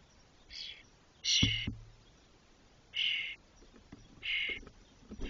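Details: Spotless starling nestlings, 21 to 22 days old and fully feathered, inside a nest box in Doñana National Park, Spain, making short trips to the box's loft. Harsh, hissing bursts come about every one to one and a half seconds against quiet background hiss.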